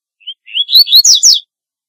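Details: Double-collared seedeater giving a single phrase: a soft chip, then rising whistled notes that speed into sharp, descending slurred notes, under a second and a half, nothing else audible.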